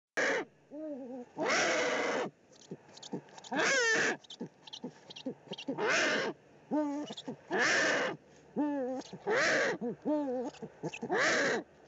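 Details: Eurasian eagle-owls at a nest in the Eifel, 13 March 2019, the male bringing an evening meal, probably a pigeon, to the female: short wavering nasal calls alternate with long harsh hissing bursts, repeated irregularly.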